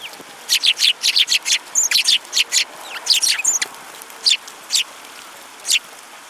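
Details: Sparrows recorded on 30 December 2017, giving a rapid run of loud, bright, sharp chirps, about twenty in the first four seconds, then spaced single chirps, over a faint steady background hiss.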